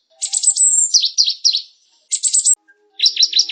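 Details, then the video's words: Singing cinereous tit, locally gelatik batu or wingko: high buzzy chatter into falling whistled notes, a gap, a shorter buzzy burst, then a quick string of sharp descending chips. "suara BURUNG GELATIK batu/wingko"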